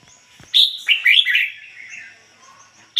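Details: Red-whiskered bulbul decoy bird performing 'ngoi bổi' song, pure voice free of foreign notes: one quick phrase of rising and falling whistled notes, then a fresh note starting at the end.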